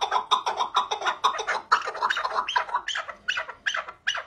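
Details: Chukar partridge giving loud, harsh, rising chuk-chuk notes in an uneven rapid series, some notes rasping and spread upward, about two per second, in a small enclosed-sounding space.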